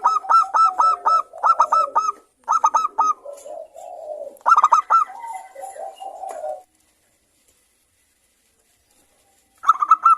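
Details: Lure song of a local zebra dove, praised for its bright 'crystal' voice and used to stimulate other doves to sing: bursts of rapid, evenly spaced staccato coos alternating with lower rolling trills, then a brief silence before another burst.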